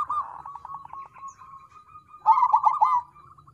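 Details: Crossbred zebra dove lure song: a rolling coo followed by a thin, fading string of fast notes, then a loud bubbling burst of looped coos midway, tapering into soft repeated notes.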